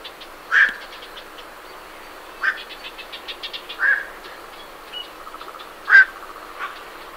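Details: Night herons calling as they leave their roost, recorded at medium close range: several short, harsh, croaking quark calls spaced a second or two apart, with great reed warblers chattering faintly in the background.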